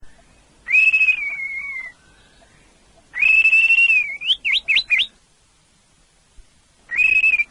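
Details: Orange-headed thrush song: long clear whistled phrases, steady then gently falling, separated by pauses of about two seconds, one phrase ending in quick rising zigzag notes.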